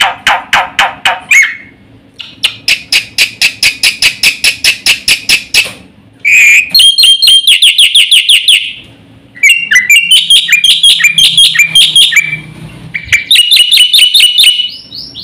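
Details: Black-winged starling in a long, fast song: a buzzy run of rapid pulsed notes, then bursts of shrill high whistles and sharp chips with short silent gaps.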